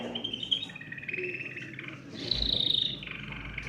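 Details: Brief stretch of canary song used to stimulate other birds: soft trilled notes, then a brighter high whistled trill, and a lower rolling tour at the end.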